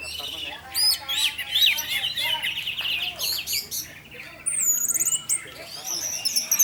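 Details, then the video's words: Orange-headed thrush singing in the 'teler' style, used as a lure to set other thrushes singing; a quick stream of whistled, looping phrases and sharp chirps, with a higher sweeping whistle near the end. "Pancingan Burung Anis Merah Tarantula Anis Merah Teler untuk penggoda anis lain agar ikut teler"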